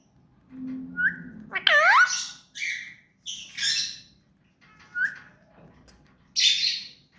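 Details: Hand-tame pet ring-necked parakeet making varied sounds: a low hum, a sweeping whistled note that swoops down then up, then separate short harsh squawks and nasal calls spaced by brief pauses.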